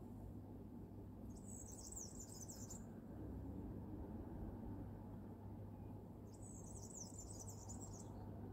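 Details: A European serin in Tartu on 16 April 2023 gives two bursts of very high, fizzy, jingling song, each about a second long, over a steady low rumble of distant traffic or wind.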